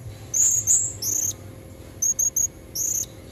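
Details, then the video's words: Female Blue-crowned hanging parrot calling to lure red-necked males, recorded in the wild: thin, very high, sharp notes in short bursts, with a pair of longer notes and then a quick triple, over a faint steady hiss. "Suara serindit betina buat pancingan jantan leher merah"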